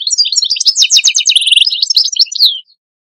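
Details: European goldfinch serving as a tutor singer for young birds: a continuous fast stream of liquid twittering notes, rattling trills and a high thin buzz, ending in a falling slurred note before silence.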